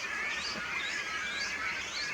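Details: Great Cormorant chicks, fairly large, beg from hundreds or thousands of nests in a spring breeding colony in the Kąty Rybackie reserve, Poland: a dense, unbroken chorus of high, harsh squeals, many young calling over one another, asking for food.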